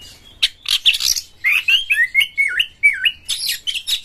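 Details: Lure song of an Oriental magpie-robin, used to set other birds singing, with harsh material. Loud buzzy notes give way to a run of fluid whistled slurs dipping and rising, then scratchy high chatter, in a fast, continuous stream.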